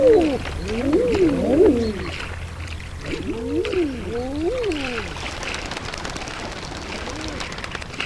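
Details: A flock of adolescent and non-breeding common eiders on a sandbar on the Tay gives soft, crooning 'ah-ooo' calls that rise and fall, several overlapping in two bursts, carried across the wind over a low rumble.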